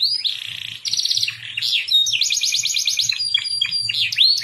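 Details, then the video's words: Varied song on a masteran featuring cucak jenggot, cililin and canary: rolling trills, rapid repeated notes and sweeping whistles strung together without pause, over a faint low hum. "masteran cucak jenggot cililin kenari"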